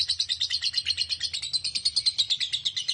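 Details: ["Lovebird in long 'ngekek' song, the 'konslet' style, used as a lure to get other lovebirds singing: rapid, even chattering pulses, about seven a second, high and slightly buzzy, over a faint low hum."]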